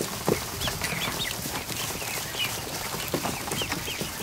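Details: More than a hundred newly hatched ducklings in a kiddie pool inside a barn one afternoon; high, short upslurred peeps come repeatedly from many birds over steady splashing, pattering and clicking in the water.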